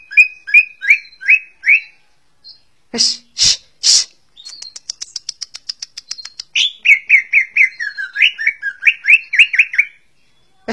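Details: Greater green leafbird song, a species known for its richly varied singing: a run of short upslurred whistles, then harsh rasping bursts and a fast dry ticking trill, ending in a long series of quick warbled, slurred notes.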